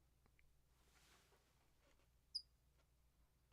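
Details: A California towhee under a yellow chair in the desert, February, gives one sharp, high, metallic chip midway through, with faint background sounds around it; finding: California Towhee.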